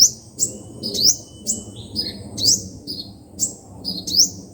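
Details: Five-colour and seven-colour sunbird song used as speaker playback for trapping birds: rapid high-pitched upward-sweeping notes repeated roughly every half second, mixed with short buzzy trills and one long thin whistle, over a soft low hum.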